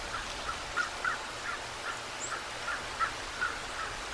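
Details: Bald eagles on the Decorah North nest camera, 2 November 2022 at 19:17; a series of short, thin piping notes, repeated roughly every third of a second, over a steady hiss of background noise.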